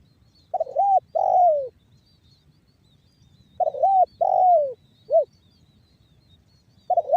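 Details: Repeated 'banggo bocor' phrases from a spotted dove, used as a lure for other doves. Each wavering coo is followed by a long falling one and sometimes a short end note, with phrases about three seconds apart.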